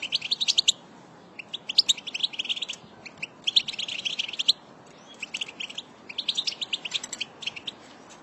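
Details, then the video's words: A flock of trained European goldfinches twitters in bright, tinkling bursts of quick high notes, several voices overlapping in runs of a second or so with brief pauses. "بتبتة لسرب من طائر الحسون مقنين"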